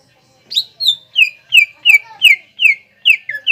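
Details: Greater green leafbird singing vigorously to encourage other leafbirds to sing: after a brief silence, a rhythmic string of ringing, falling whistled notes about three per second.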